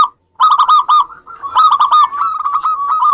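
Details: Local zebra doves singing to draw other doves into calling: quick bursts of throaty, stuttered cooing notes, repeated in two rapid series with a steadier purring coo at the end.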